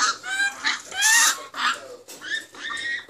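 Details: Grey parrot chicks, several young birds with voracious appetites, calling during hand-feeding. They give harsh, nasal, honking squawks with strong overtones in quick overlapping bursts, loudest about one second in.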